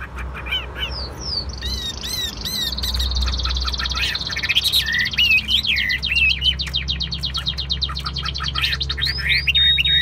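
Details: Caged Chinese hwamei singing rapid whistled trills and swooping notes, partly masked by a sustained high buzzing hiss and a low droning background.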